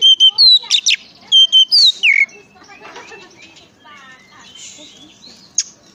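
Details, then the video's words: Oriental magpie-robin singing to draw other magpie-robins into song: about two seconds of sharp whistled notes and downslurred phrases, then only faint, scattered chirps and low background murmur. "pancingan suara kacer"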